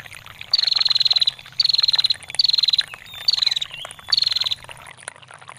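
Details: Five evenly spaced bursts of rapid, high, clicking trill, each under a second, from a female bar-winged prinia giving ngetir calls, with soft trickling water between; recorded as songbird master material.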